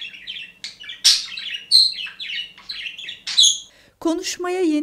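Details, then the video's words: A contented, happy caged budgerigar gives a cheerful warble: quick, chattering chirps and squeaky notes tumbling over one another, ending in a burst of buzzy, harsher chatter, with a faint low hum underneath. "keyfi yerinde olma sesi"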